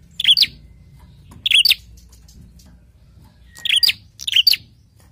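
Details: Four bursts of high, sharp double chirps from a prinia, two close pairs separated by a longer silent gap, used to provoke other prinias into calling.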